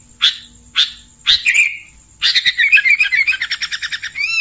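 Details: Sooty-headed bulbul (kutilang) in clear voice: three separate sharp chirps, then a fast bubbling run of rapid repeated notes lasting about two seconds, with a thin steady high tone in the background.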